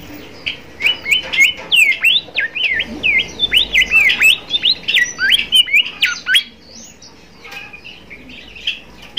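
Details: Bimoli song meant to coax and train young birds still learning to sing: a rapid run of sharp, high, swooping chirps and whistles repeated several times a second for about five seconds, then fainter scattered notes.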